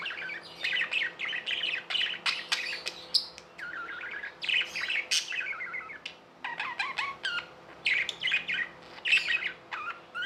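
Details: Several seconds of lively chirping from tame pet budgerigars: dense clusters of sharp, buzzy chirps and squeaky notes, some dropping in pitch, separated by brief pauses.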